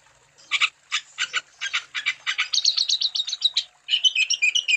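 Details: Wambi singing loudly, used as a lure to stimulate other wambi birds to sing: a fast series of harsh, buzzy chirps, then quicker twittering notes and clear whistled phrases near the end.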